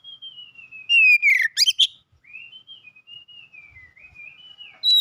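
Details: Oriental magpie-robin, a first-place winner in a singing competition, delivering long sliding whistles that fall then level out, broken by a burst of loud, sharp, rapidly varied notes, with another strong note at the end.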